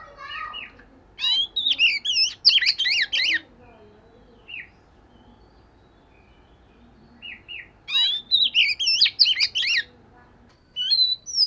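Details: Oriental magpie-robin doing daily voice practice: two strong bursts of fast, zigzagging whistles, separated by a quiet stretch with a few isolated chirps, and a fresh phrase starting at the end.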